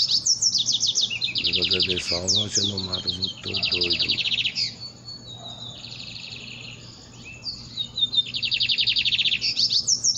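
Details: Lined seedeater in dawn song: high buzzy trills and rapid chirping phrases, interrupted early on by a lower voice-like harmonic sound, then steady fast trilled bursts resuming.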